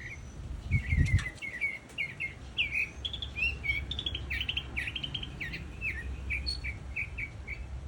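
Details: Northern mockingbird, known as sinsonte cubano, delivering a steady run of varied, quick chirped phrases, each a short rising or falling whistle repeated in rapid succession, with a dull thump near the start.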